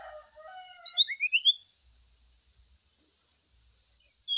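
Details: Brown-chested jungle flycatcher lure song, played during morning dew exposure to make the bird sing: a burst of high, thin, rising chirped notes, then silence, with a steady high hiss of insects or noise throughout.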